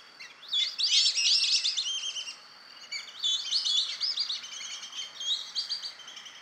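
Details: A young male Amazon kingfisher sings from vegetation bordering a park lagoon in Campinas, São Paulo, Brazil, at 07:32 on 2 April 2016, with rapid, dry, high chattering in two long bursts, the second fading unevenly; a black-bellied whistling duck flock calls in the background.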